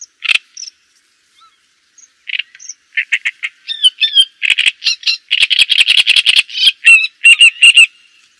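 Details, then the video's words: Java sparrow starting with scattered single chips, then building a rapid, continuous chatter of clucking and tinkling notes with rising whistled hooks, staying loud to the end. "Suara Ocehan Burung GELATIK JAWA Untuk Pancingan Dan Masteran"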